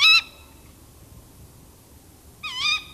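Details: Tawny owl in a tree giving two short, sharp calls with a twisting high edge, the first at the start and the second near the end, with quiet gaps between.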